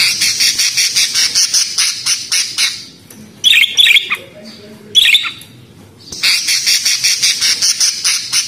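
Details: Budgerigar giving bursts of rapid, raspy pulsed chatter, with two short squawky calls in a quieter middle stretch.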